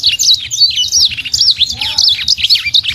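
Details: Small imported sanger bird in full song: a dense, rapid stream of high twittering notes, sharp rising and falling whistles and trills packed closely together without pause, over a faint low hum.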